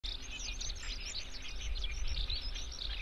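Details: A Eurasian skylark (Alauda arvensis) pours out an unbroken stream of fast, high chirrups and trills with no pauses, over a steady low rumble of wind.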